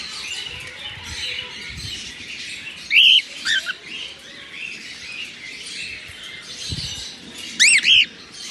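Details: Captive albino cockatiels with red eyes in their morning routine, soft busy chatter underneath, broken by a few loud sharp rising-falling chirps near three seconds and a double squawking chirp near eight seconds.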